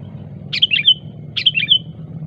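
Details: Wild sooty-headed bulbul giving a sharp rival-calling song: two bubbly, warbled phrases under a second apart, each of a few quick fluty notes, over a steady low rumble like distant traffic.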